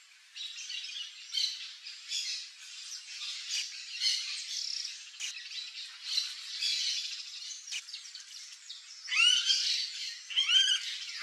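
Variable oriole giving harsh, scratchy chattering calls almost continuously, ending with a few clearer slurred notes dropping in pitch near the end.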